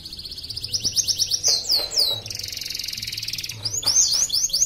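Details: Canary entered in an online singing competition, kept caged in Pontianak, West Kalimantan: sharp falling trilled notes, then a dense buzzy rattling roll, ending with renewed rapid sweeping trills.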